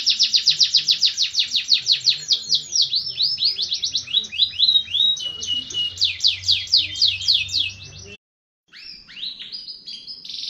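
A canary sings a fast, continuous run of bright trills and rolling chirps, shifting through high phrases with a brief pause near the end.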